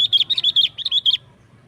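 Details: Rapid chattering song from a sooty-headed bulbul in 'gacor nggaruda' style, used to call wild bulbuls: about ten quick, bubbly chirps in a little over a second, then silence.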